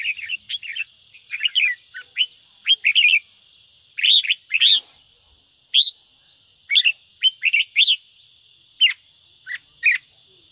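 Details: Red-whiskered bulbul singing in the chattering ché style, a recording meant to stimulate young birds: short bright slurred phrases, mostly rising then falling, in quick bursts about once a second, with a faint steady high hiss behind.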